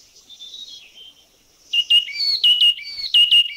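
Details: Yellow-cheeked tit, Thailand: a soft thin high note at first, then from under two seconds a loud series of clear whistled notes, each stepping down in pitch, repeated rapidly.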